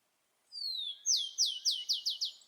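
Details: Rufous-collared sparrow in the wild, one song: a long drawn-out whistle easing down in pitch, followed by six quick, sharp downslurred notes in a crisp trill, with nothing else audible.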